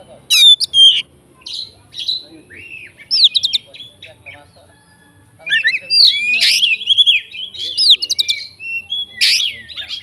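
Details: Oriental magpie-robin in fighter-style song packed with fill-in phrases, meant to set other magpie-robins singing: bursts of high whistled and chattering notes, sliding rising and falling phrases, separated by short pauses.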